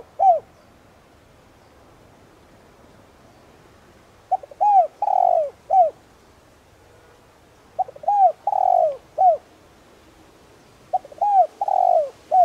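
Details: Spotted dove decoy of 'đồng' voice type, used to stimulate wild doves to coo. Three phrases about three and a half seconds apart: two short curved notes, a long coo, then one more short note closing each phrase.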